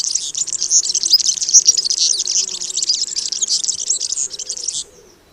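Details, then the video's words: Song of a European Serin, typical and diagnostic: a hurried, glittering stream of very high, liquid twittering notes poured out continuously for about five seconds before stopping abruptly. "C'est un gazouillis précipité et liquide, fait de notes aiguës de tonalité élevée qui s'enchaînent souvent sans discontinuer pendant plusieurs dizaines de secondes."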